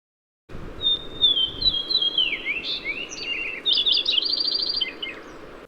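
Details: Lincoln's Sparrow song, compared to House Wren pattern with Purple Finch quality, typically heard on breeding territory in willow clumps by mountain lakes: rapid, bubbly five-second jumble of high trills and slurred notes, rising then tumbling, faint low rumble.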